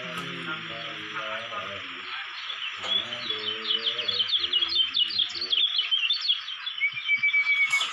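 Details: Caged kecial kuning from Lombok, Indonesia, trained for song contests, chatters in rapid high chirps through the middle seconds, ending in a thin drawn-out whistle, while low harmonic voices sound at the start and a steady hiss runs throughout.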